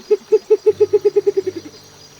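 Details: Mindoro Scops Owl (Otus mindorensis), an endangered endemic of tropical forests on Mindoro, Philippines, giving a quick series of about eleven mellow hoots that speed up slightly and fade away, over a faint low hum.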